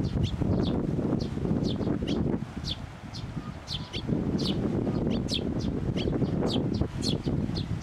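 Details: Parent sparrow that came for food turning suddenly aggressive at a Tenmangu shrine, 16 May 2024: short sharp chirps repeated about four per second over strong wind rumble and rustling.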